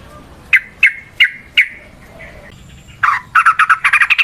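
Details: Trucukan, the Yellow-vented bulbul, used to lure other birds: four loud falling chirps spaced evenly, a short pause, then a burst of harsh rapid notes running into a quick rattling series.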